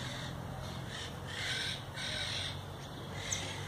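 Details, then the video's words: European goldfinch belonging to the recorder's brother, singing: dense, harsh, buzzy high twittering in blocks, strongest in the middle, over a steady low background hum. "El jilguero de mi hermano tirándose unos cantos"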